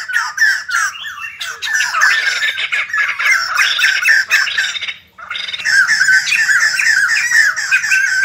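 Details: White-crested laughingthrush, kept bird, singing and dancing: loud rhythmic harsh chatter building into a dense noisy burst, a brief gap, then fast repeated squawky notes resume.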